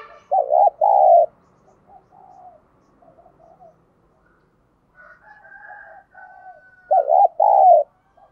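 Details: Decoy spotted dove calling to stir up wild doves: loud doubled low coos open and close the passage, with soft murmured cooing between them and a thin, higher drawn-out whistle in the middle.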